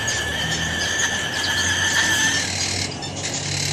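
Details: Umbrella cockatoo giving a weird, annoying call, a continuous raspy scream with strong ringing overtones that wavers slightly and eases a little near the end.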